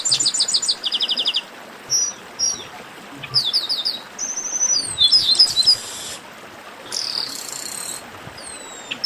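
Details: Chestnut-capped blackbirds singing in a warm-up chorus: fast trilled bursts of repeated high notes alternate with single sharp whistles and buzzy rasping phrases, several birds overlapping over nine seconds.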